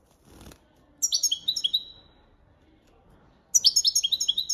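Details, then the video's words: European goldfinch singing copia Malaga training song: two rapid phrases of high, down-slurred tinkling twitters separated by a pause of about two seconds, with a faint brief rustle at the start. "Jilguero Cantando la copia malaga _ Goldfinch bird singing the wonderful sounds for training songs"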